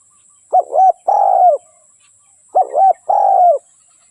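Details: Dove cooing: two phrases about two seconds apart, each a quick double note followed by a longer, slightly falling coo, with a steady faint high whine behind.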